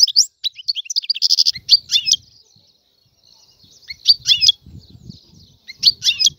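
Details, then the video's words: Algerian European goldfinch twittering in short spaced bursts with a brief rattling trill, with soft low rumbling and faint background noise between phrases. "تغريد طائر الحسون الحر. أفضل عصفور في الغناء"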